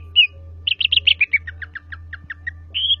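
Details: Greater green leafbird (Javan cucak ijo) singing: a rapid run of short whistled notes dropping from high to mid pitch, each repeated several times, ending in a rising whistled slur over a low steady hum.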